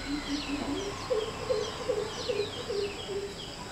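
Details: A pair of greater coucals perched on a wall in Palakkad on a January winter morning, calling and counter-calling between mates: a run of deep, hollow, evenly repeated notes, about two or three per second, with thin chirps of other birds above.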